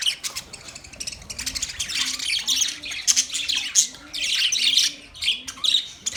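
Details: Budgerigars kept in a big cage chatter loudly, mixing sharp chirps, buzzy squawks and rapid clicks, while a faint low repeated note sounds at intervals in the background.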